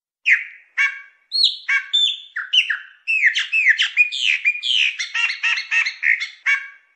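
A Chopi blackbird sings a rich, fast run of varied whistles, chirps and slurred notes, mostly high-pitched, that grows into a steady unbroken stream.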